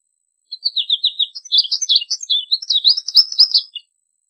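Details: Steady American goldfinch song, a rippling series of high, warbled chirps delivered rapidly for about three seconds before stopping.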